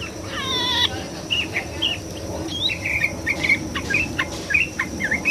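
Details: A yellow-vented bulbul sings a lively run of short, bubbly, mid-pitched chirping notes above water, opening with a harsh nasal call, with steady rushing water behind; finding: Yellow-vented bulbul.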